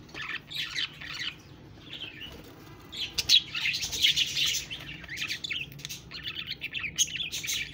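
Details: Budgies chirping and warbling in bursts of high, scratchy twitters, with a louder, denser chorus in the middle and brief sharp clicks between phrases.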